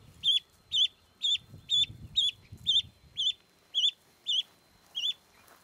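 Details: Young Canada goose, a rescued gosling wandering a backyard, gives a steady run of about ten loud, high, wavering peeps, evenly spaced roughly every half second, over faint low background rumble.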